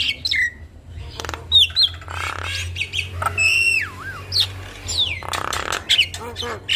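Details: Jalak kebo, the Javan myna, in a full isian gacor masteran used to teach young mynas: sharp clicks, slurred rising and falling whistles and harsh rasping bursts over a low steady hum.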